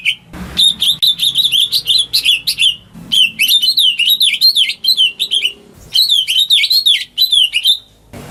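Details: Home-kept greater green leafbird singing, used to prompt silent birds to sing: rapid bursts of bright, warbling whistled phrases swooping up and down, delivered in three long runs with brief pauses between them.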